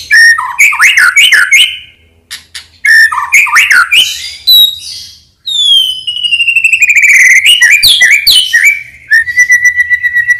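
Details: Energetic Medan-type white-rumped shama singing as a lure for other shamas: loud repeated whistled phrases with sharp downward sweeps, a cascading series of descending whistles, then a long level whistle held at the end.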